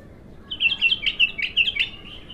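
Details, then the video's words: A bulbul in its first burst of raw song delivers a lively phrase of repeated high, clear chirps. The notes are evenly spaced and run for nearly two seconds after a short silence. "تغريد الابتر خام اول فتحـه له"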